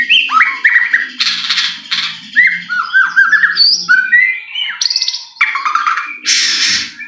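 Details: White-rumped shama song used to provoke a bird into singing: series of short downslurred whistles and harsh buzzy bursts, varied and energetic, with a faint low hum behind.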